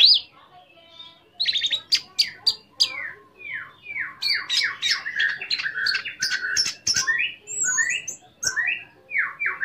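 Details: Orange-headed thrush in full song, a lure meant to provoke other orange-headed thrushes to sing and to raise breeding drive; varied run of downslurred whistles and sharp chattering notes, briefly quiet at the start, then dense and continuous.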